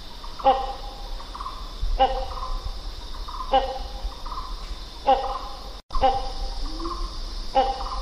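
Great hornbill giving deep, honking calls with a harsh edge, about every one and a half seconds, over a steady high insect hum.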